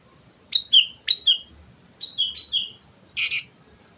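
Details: Sooty-headed bulbul, recorded as lure song, gives paired liquid whistles with sharp upward starts in three short groups, ending in a rougher, harsher double note.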